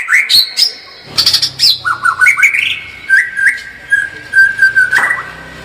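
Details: Murai batu (white-rumped shama) in gacor tembakan song: sharp high whistles and squeaky notes, then a series of rising and falling whistled phrases that settle into a level, slightly buzzy note near the end.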